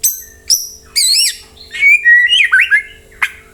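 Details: White-rumped shama lure song to make other birds answer: sharp high notes and a buzzy wavering phrase, then clear sliding whistles and a final sharp chip.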